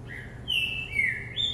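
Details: Caged green-winged saltator singing while it hops on its perch during a vigor workout: a clear, strong whistle drawn out and gliding downward, then a higher rising note, with low background hum.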